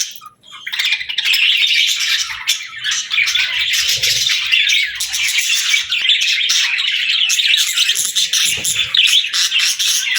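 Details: After a quiet opening, pet parakeets burst into sustained high chirping and chattering warbles, dense and overlapping to the end.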